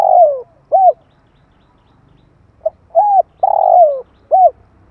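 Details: Spotted dove heard in 2021, calling to stimulate decoy birds for attracting wild doves: a long falling slurred coo and an arched note, then a pip, arched coo, long slurred coo and arched coo again.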